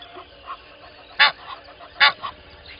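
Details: An Egyptian goose pair at Gowrie dam waterhole, Djuma Game Reserve, Sabi Sand, South Africa, at 05:32 on 12/01/20, giving two harsh, broadband honks about a second apart, with fainter, softer calls between them over a quiet background.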